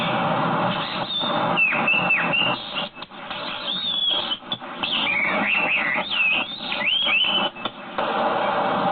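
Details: Chinese hwamei singing from a dead tree: loud, clear whistled phrases that slur up and down, with looping twists and held notes, over a constant hiss of background noise.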